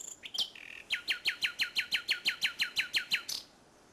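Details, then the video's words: Common nightingale at Salthouse, Norfolk, 1 May 2011, evening: a few introductory notes, then about fourteen rapid, evenly spaced descending chirps, around four per second, ending with a high flourish. "Nightingale Salthouse 01.05.11"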